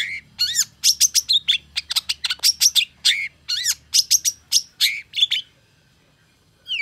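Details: Long-tailed shrike reacting to a rival with a quick volley of sharp chirps and curved whistles, some dropping steeply in pitch, ending in silence before a final note.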